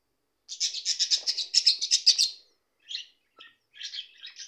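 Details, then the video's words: Warbling budgerigar chatter, a two-second stream of rapid scratchy chirps followed by a few short isolated squeaky notes. "Periquitos australianos cantando"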